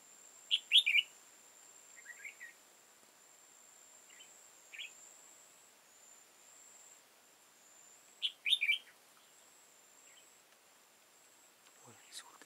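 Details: Red-whiskered bulbul, an old wild bird with high crest and deep bib, during trapping on 15 October 2018: two loud chirpy phrases several seconds apart, softer notes between, over a steady high whine, with a brief sound at the end.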